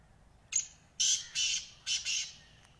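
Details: Black francolin calling: a single rasping phrase of five noisy, buzzy notes, a brief first note followed by two paired grating bursts, clear against faint background.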